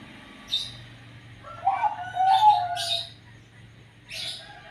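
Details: Zebra dove (perkutut) of the banyu mili katuranggan type, noted for an unusual voice: low, gliding coo notes that fall slightly, framed by short broad bursts of higher rustling sound before and after.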